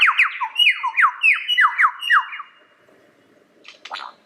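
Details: Lyrebird repeating a bright downward-slurred note about eight times in quick succession, paired with a short lower note each time, then falling quiet before a few soft scratchy sounds.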